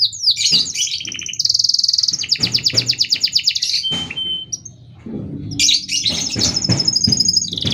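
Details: Canary song for training or provoking other canaries: bright high trills and rolls broken by sharp broadband clicks and knocks, with a lone whistled tone mid-way before the trilling resumes.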